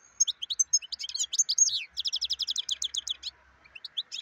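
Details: Black-headed form of European goldfinch singing a fast, tinkling twitter of high liquid notes, breaking into a quick run of repeated chirps before trailing off.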